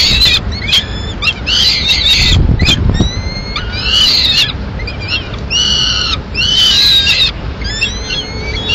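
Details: At a peregrine falcon nest in Madrid in May 2016, the female feeds pigeon to two chicks. Short thin upslurred notes alternate with denser harmonic squealing bursts, and a brief rustle is heard early on.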